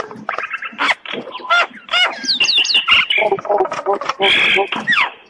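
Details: Common myna, described as a talking bird, singing: a dense jumble of harsh squawks, gurgles, clicks and sharp rising whistles delivered almost without pause.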